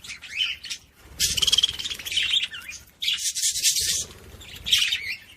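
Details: Budgerigar warbling meant to stimulate other budgies, a dense, scratchy, chattering stream of high squeaks and buzzy notes in long bursts, briefly pausing before resuming.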